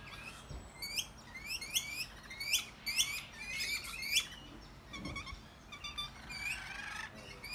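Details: A group of Australian rainbow lorikeets feeding together and calling loudly, with dense bursts of shrill rising chirps and buzzy notes tumbling over one another, quieter chatter toward the end.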